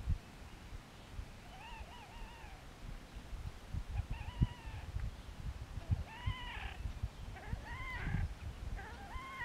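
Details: Horned (Slavonian) grebe, Podiceps auritus, gives nasal, wavering, mewing notes, each with a quick rise and fall, about every two seconds over a steady low rumble of wind or water.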